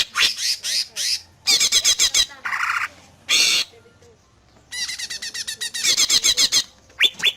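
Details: Song of a greater green leafbird, used to make other leafbirds reply: bursts of rapid high trilled notes and a harsh buzzy phrase, separated by short pauses, then a long run of sharp chattering notes.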